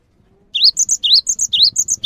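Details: Cinereous tit pouring out its long training song: a swept rising note then paired thin high whistles, cycling rapidly for a second and a half over a soft low background.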